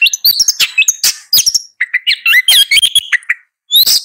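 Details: Long-tailed shrike in a busy, scratchy song mixing rising whistles, chattering notes and brief harsh bursts, ending after a short pause with another squeaky phrase.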